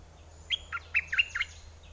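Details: Red-whiskered bulbul kept as a decoy bird, singing in aggressive or wild mate-calling style: one brisk phrase of five or six liquid, dipping whistles delivered within a second.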